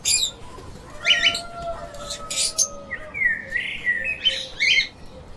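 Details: Lovebirds chattering in short buzzy chirp bursts, with a faint steady tone underneath and a run of wavering squeaks near the middle.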